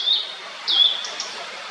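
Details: Blue-and-white flycatcher giving two short, clear whistled notes about half a second apart. Each note slurs downward at a high pitch, with a faint thinner note trailing after, over quiet background hiss.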